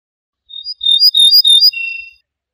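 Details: Song phrase of an Ortolan bunting (Moroccan name al-bouh al-fassi): a brief high note, then loud jingling notes in three bursts, ending on a sustained lower whistle. Silent background.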